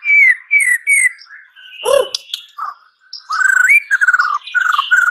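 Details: Murai batu, the white-rumped shama, giving varied whistled phrases, falling slurred notes and rich warbles broken by a short noisy burst, then a fast stuttering trill.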